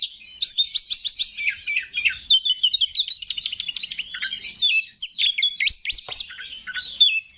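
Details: Kacer, an Oriental magpie-robin, singing energetically to provoke other males: continuous rapid chattering and varied whistles with sharp rising notes, barely pausing throughout.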